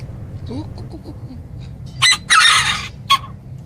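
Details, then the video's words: Flock of chickens giving soft low clucks, then a sudden loud raspy squawking burst and a final sharp cry over a low background hum. "Âm thanh bầy Gà"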